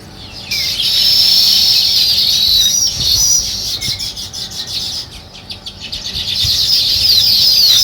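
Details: Morning chirping of sparrows in a village, with many birds calling at once: a busy, shrill chatter that swells, dips in the middle and rises again, with quick repeated chirps.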